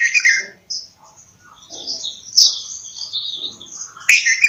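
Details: Bulbul chirping rapidly with thin, high whistled notes and short trills, a loud burst at the start and another near the end, plus a few soft clicks.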